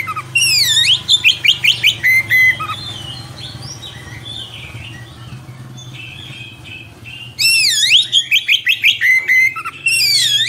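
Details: Oriental magpie-robin singing a long rolling song, suited for training young birds: loud phrases of a deep swooping whistle followed by a rapid series of rising notes, separated by a quieter warbling stretch, with a low background hum.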